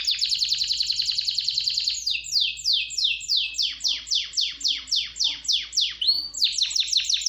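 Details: Canary singing loudly: a fast high buzzy roll for two seconds, then a run of sharply down-slurred notes repeated about three times a second, ending in another rapid rolling trill.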